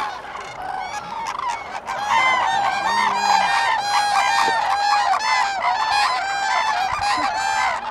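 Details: Common cranes massed at Lake Hornborga, Sweden, April 2017: after a quieter opening, the flock swells into a loud, sustained chorus of ringing bugled calls, several per second.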